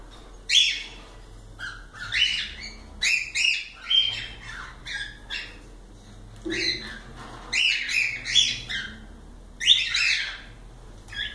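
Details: Several cockatiels chattering together in a dense run of harsh squawks and short rising chirps, grouped into bursts with brief quiet gaps between them.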